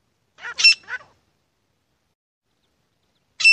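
Grey francolin giving a harsh, loud three-note burst, then a single matching note about three seconds later; nothing else is heard.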